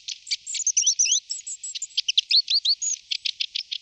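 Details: Long-tailed tit chattering rapidly: a steady stream of high, short clipped notes mixed with little rising and falling slurred whistles.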